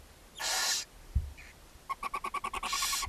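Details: Barn owls at a chimney-side nest box in Ságvár, Hungary, on May 4, 2024, as the mother feeds her seven owlets. A harsh hissing burst is followed by a rapid run of short, evenly spaced ticking notes.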